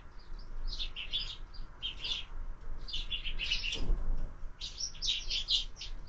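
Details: Feeding sparrows at a feeder attached to a window, morning meal; clusters of sharp chirps in short bursts, with a soft thump partway through.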